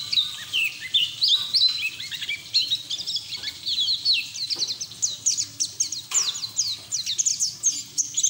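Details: A white-eye sings a long unbroken twitter of very fast, high, thin notes, almost a rattle in places. Used as training audio to get young white-eyes to open their bills.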